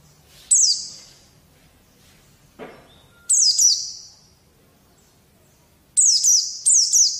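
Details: White-eye song used as a training recording to make young birds sing: short, thin, high whistled phrases that slide downward in stuttering bursts, in three groups separated by quiet gaps, with one faint low thump in between.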